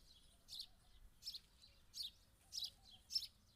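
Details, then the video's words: House sparrow giving sharp, high chirps, five bright notes in under four seconds, each short and slightly buzzy, spaced unevenly about every half to three-quarters of a second against a quiet background. "Sperrow sound | गौरैया"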